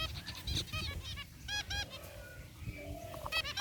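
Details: Caged zebra finches, a group with gray and one rare white bird, giving nasal, trumpet-like beeps in bursts of two or three, separated by brief pauses with softer chatter and low hum beneath.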